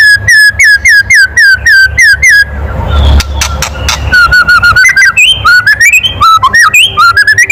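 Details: White-rumped shama kretekan, a loud call meant to stir other birds: rapid strings of sharp down-slurred chips, a short noisy break, then varied rising and falling whistled notes in quick succession.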